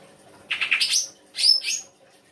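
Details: Songbird kept in the Indonesian bird-song hobby, a full song-fill recording: two bursts of very high, sharp chirps, the first a quick run of four notes, the second a tight doubled burst, over faint background hum.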